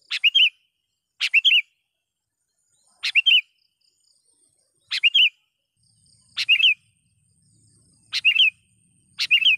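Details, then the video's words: Sooty-headed bulbul in full voice, calling a rival and used to lure wild bulbuls: short, bright, slurred chirpy phrases, each a quick rising-falling pair, repeated seven times at intervals of about one and a half seconds, with silence between. "suara BURUNG KUTILANG gacor memanggil lawan"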